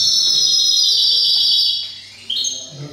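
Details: European goldfinch hybrid kept for silvestrismo singing a long, high, sustained trill for nearly two seconds, a pause, then a shorter bright trilled phrase.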